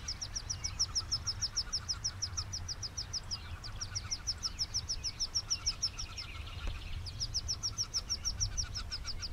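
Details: Wood duck ducklings jumping from their nest box as their mother guides them to a river give a rapid chorus of thin, high peeps, several every second, over a steady low rumble; 2016.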